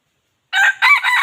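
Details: Red junglefowl crow, described as bringing chickens in very well; a loud, raspy opening note is followed by a longer, rough, sustained syllable, cut short, with no other sounds.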